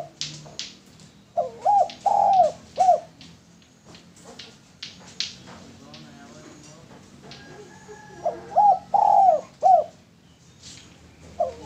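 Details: Male spotted dove, recorded as a lure, cooing in two separate phrases of short hooked notes around one long coo, with repeated sharp clicks and tapping noises scattered throughout.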